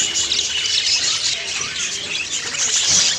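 A flock of budgerigars chattering together, a dense wash of high scratchy chirps and squawks with no pauses, many birds overlapping.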